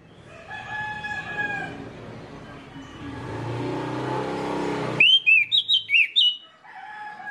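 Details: Orange-headed thrush song used as a lure to get other orange-headed thrushes singing: after five seconds of murmuring background and steady tonal hum, a loud burst of five or six clear, sharply rising and falling whistled notes, then the hum returns.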